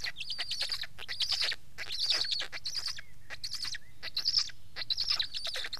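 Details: Black stork uttering a near-continuous run of scratchy, hissing bursts, each under a second, roughly evenly loud throughout.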